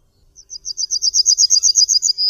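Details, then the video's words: Rapid high-pitched trill of evenly repeated chips from a Yellowhammer, Emberiza citrinella, swelling in loudness and ending in the onset of a long held note. No other clear sounds. "Trznadel. Odgłosy i Dźwięki jakie wydaje Trznadel. Jak robi Trznadel zwyczajny?"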